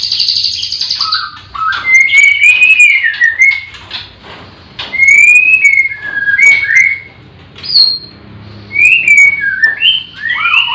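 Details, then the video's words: Captive white-rumped shama at a breeding farm on a morning when all the birds sing. Loud, sweet whistled notes swoop up and down in short bursts with brief pauses between, over a soft background of other chirping birds. "Pancingan murai batu di kandang ternak ll chirping magpie"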